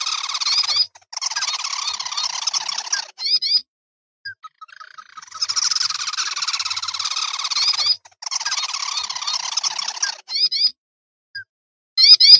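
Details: Sintar api, a red-eyed crake with fiery red head to breast, edited lure recording: long buzzy trilled bursts of rapid repeated notes, separated by gaps with short squeaky chevron phrases.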